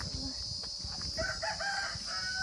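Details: A chicken at a forest organic farm in Jhargram, India: a rooster crows, a drawn-out harmonic call rising and holding in the second half.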